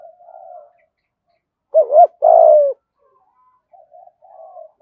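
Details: Spotted dove 'gù thúc' coo, 'giọng thổ' style, played to lure wild doves; faint distant cooing, then one loud phrase of a doubled note and a long coo, followed by soft far-off coos.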